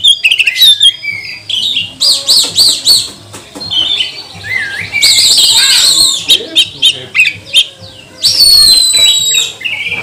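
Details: Oriental magpie-robin provoking song: bursts of rapid trilled and warbled notes, a buzzy wavering passage midway, and a sustained high whistle near the end, separated by brief gaps, with a low hum faintly present.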